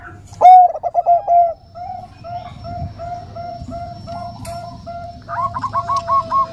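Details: Female Bangkok-type zebra dove calling a male with a soft 'nutut' voice: a loud, rolling opening coo, then a long string of short, gentle, evenly paced notes, with a second bird's quicker trills joining at the end.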